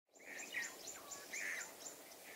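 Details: Blue-breasted cordonbleu, a small waxbill of east and southern Africa: thin high buzzy notes and short seeee phrases, several chirps over about two seconds, with faint higher ticks and a soft background hiss.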